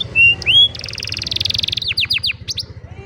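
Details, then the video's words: Old canary singing in the afternoon: two loud clear whistles, a dense buzzy trill, then a few sweeping downslurred notes. "Old Canary sings beautifully in the afternoon"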